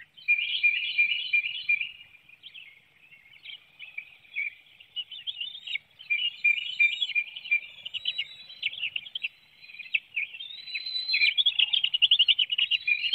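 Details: Bald eagles at the Hanover, Pennsylvania nest, 9 June 2019 at 7:04 a.m., a parent feeding fish to the young as another flaps about; long, insistent run of high, clipped chittering notes, several per second, rising in intensity toward the end.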